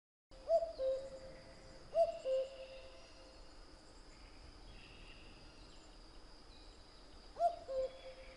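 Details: Common cuckoo singing its two-note cu-coo, a higher note dropping to a lower one, given three times with long gaps between, while other birds twitter faintly at a higher pitch.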